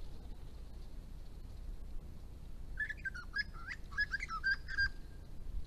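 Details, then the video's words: Blue-faced honeyeater, a rare nectar-following visitor to ponds when eucalypts flower and known to aggressively defend food from other birds, gives a quick burst of short, clear whistled notes after a quiet start, over a steady low background rumble. "Blue faced Honeyeater with aggressive birds"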